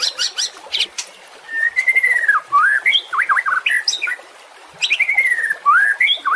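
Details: White-rumped shama song as training audio for caged birds: harsh high chatter opening, then long fluty whistles and twisting slurred notes, a pause, and a return of chatter and whistles.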